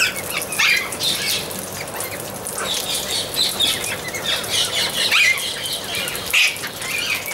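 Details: Amazon parrots squawking steadily, a chorus of grating, nasal calls of varying length overlapping throughout, with a few louder screeches standing out.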